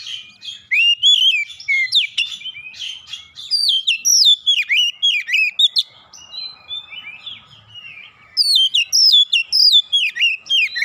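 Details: Oriental magpie-robin challenging aggressively after being provoked, delivering long sequences of rapid, varied whistled notes with downward slurs, a brief quieter interlude, then another energetic burst of song.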